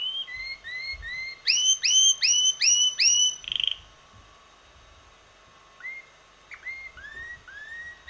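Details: Six-month-old red male canary whose melodies shift every week: repeated rising whistled slurs, then a bright series of loud upswept notes, a brief buzz, and after a lull quieter rising whistles return.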